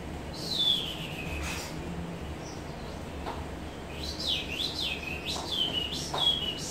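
Chinese Hwamei singing: a clear, falling whistle followed by a fast run of high, swooping whistled notes, with a low background hum.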